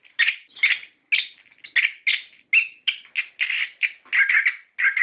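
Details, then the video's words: Orange-headed thrush in full, rolling lure song played to make captive birds sing: harsh, buzzy bursts and warbles spaced by short pauses, growing denser toward the end. "Pancingan Suara Burung Anis Kembang Gacor Ngeplong Ngerol"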